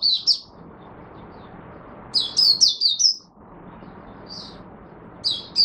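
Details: Singapore Mata Puteh, or Oriental white-eye, kept as a hobby songbird in humid, warm, rainy, overcast Singapore weather, singing short bursts of high, bright twittering notes separated by pauses, over a soft low background hum.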